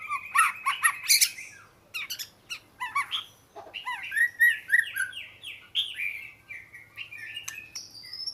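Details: Oriental magpie-robin delivering harsh chattering notes, then a series of clear descending whistles and varied chirps, with faint low hum behind.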